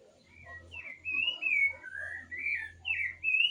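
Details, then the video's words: Bird song of sweet whistled slurs, some rising and some falling, delivered in a quick continuous series over a faint low hum. "cantando #pajaro #bird #songbirds"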